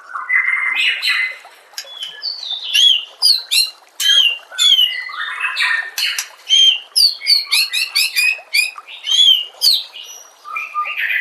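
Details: White-rumped shama song from a murai batu masteran compilation: fast sequence of sharp, high, down-slurred whistles and crisp chips in short bursts roughly every half second, loud and clear throughout.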